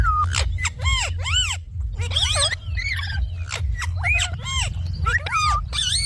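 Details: Pet Indian ringneck parakeet chattering in word-like arched syllables, repeated roughly once a second, with some buzzy, tangled phrases between them over a constant low hum.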